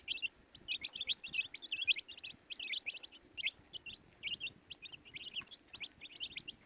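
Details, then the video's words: High, rapid peeping from baby chicks, short shrill notes in clustered bursts, many birds calling at once. "baby chicks chirping sound"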